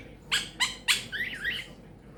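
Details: Talking pet Quaker parrot, known for phrases such as peek a boo and give me a kiss, utters three sharp raspy notes followed by a short warbled, wavering whistled phrase.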